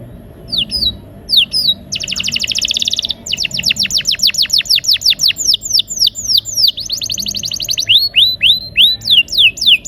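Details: Canary in full rolling song, used as a lure to prompt silent canaries to sing: sharp descending whistled notes, a dense buzzy burst, then long rapid rolls of falling notes repeated several per second.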